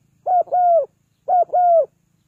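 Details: Spotted dove cooing to call birds down: two matched phrases, each a short hoot and a longer level-then-falling coo, separated by about a second of quiet.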